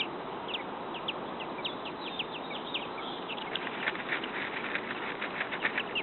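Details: Young robins, a few days old and nesting in a backyard, wait for food. They give a faint scatter of high chirps, then a thicker, hissier burst of overlapping calls toward the end.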